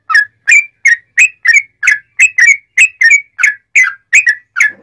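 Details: Loud, fast sooty-headed bulbul song with straw-headed bulbul-like phrasing, used to train and provoke other bulbuls into singing. It is an unbroken string of clear, bubbly chirps, roughly three each second.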